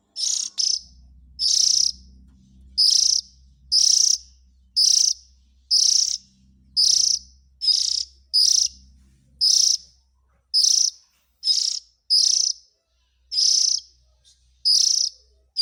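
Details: Oriental magpie-robin chicks, recorded to lure in adults: about seventeen rapid, harsh rasping bursts, near one per second, over a low humming drone that fades partway through.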